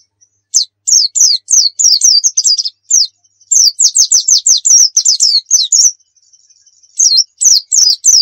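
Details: Javan white-eye of the Dakun Pacitan type from Pacitan, singing energetically in the 'nembak full isian' style as a tutor recording for other birds: rapid bursts of very high, sharp, down-slurred chirps, several per second, broken by brief pauses over a faint thin whine.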